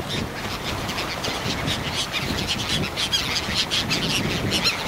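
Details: Hundreds of Bonaparte's gulls foraging along the Lake Erie shoreline at Pointe Mouillee, Michigan, give a steady chatter of short, raspy, high calls that overlap continuously, over a low rumble of wind or water.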